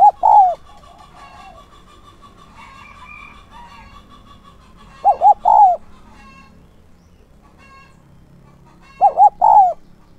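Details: Decoy spotted dove with a 'son' voice, calling to draw in wild doves: three identical coo phrases, each two short notes and a longer falling one, repeated about every four and a half seconds, with faint bird and fowl sounds between.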